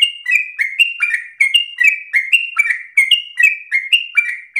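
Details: Trainer-style song of a vocal yellow-vented bulbul, delivered with long breath and rolling phrasing for young bulbuls to learn: bright slurred whistles stepping up and down in a fast, steady chain across the clip, with a clean background.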